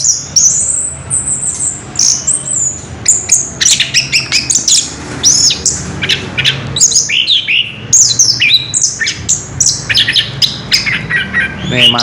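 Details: Long continuous ngerol song from an orange-headed thrush, with dense runs of piercing whistles, chattering chips and quick slurs over twelve seconds and a brief voice at the end.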